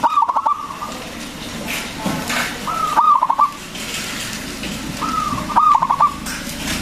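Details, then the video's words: Local zebra dove with a big voice, meant to lure and excite other doves: three cooing phrases spaced roughly every three seconds, each a drawn-out note ending in a fast rattling series of pulsed coos, with light background hiss. "PERKUTUT LOKAL GACOR SUARA BESAR ISTIMEWA PANCINGAN BURUNG PERKUTUT AGAR BUNYI"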